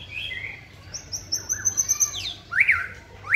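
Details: White-rumped shama at song training: a high sustained thin whistle with fluttering notes, then loud rising sweeps repeated near the end, over a steady low hum.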